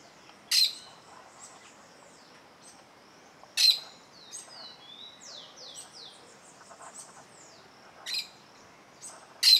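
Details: Plain parakeet near its nest, eyeing a nearby observer. Shrill, harsh screeches sound at roughly three-second intervals, four in total, while other birds give faint, falling whistled notes between them.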